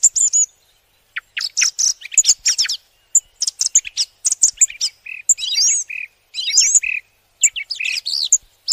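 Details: Flowerpecker giving a busy stream of high, sharp chips and twittery notes in irregular bursts, with short buzzy lower notes mixed in and brief gaps between bursts.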